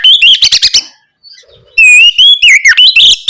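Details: Oriental magpie-robin lure song, ngeplong gacor style, for getting young birds to respond: a run of rapid chips, a short silence, then a bright rising whistle flowing into varied warbles and clicking notes.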